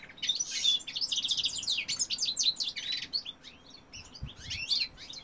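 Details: Male European goldfinch singing, recorded in 2018: rapid, tinkling, high twittering phrases of liquid chirps and short trills that run almost without pause. A few buzzy notes are mixed in, and faint low thumps are audible near the end.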